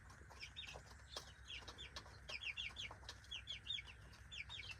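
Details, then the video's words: Free-range backyard chicks at breakfast, feeding from a keeper: a busy chorus of sharp, high, down-slurred peeps, often in quick pairs and triplets, with a constant low hum underneath. "Breakfast and sounds of chickies!"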